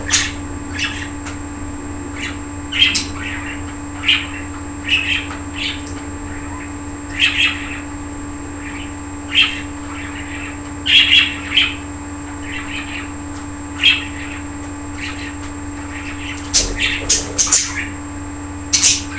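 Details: Pet budgerigars indoors, playing and flying about, chirp in short, bright bursts, with brief warbling notes repeated every second or so.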